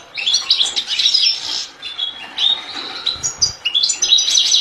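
A European goldfinch sings a fast, tinkling jumble of liquid twitters and buzzy trills, high-pitched and continuous with brief pauses.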